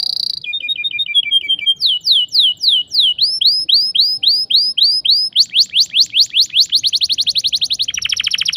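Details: Sharp rolling canary song used to coax young birds into singing: tours of repeated upswept whistles, about four per second, switching to faster rolls and a dense final trill.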